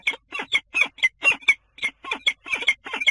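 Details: Common kestrel at a nest in a water tower in Scheveningen, Netherlands, on 10 April, giving harsh, grating notes in quick bursts, about three per second with short gaps, rasping and fairly loud, with no other sounds.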